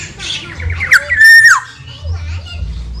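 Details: A black-naped oriole from Java gives a short squawk, then one strong level whistle that drops at the end, with a low hum in the background.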